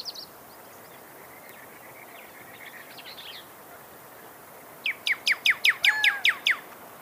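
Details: Pyrrhuloxia song: after a quiet stretch with faint distant twittering, a burst of eight sharp, descending slurred whistles arrives in rapid, steady succession.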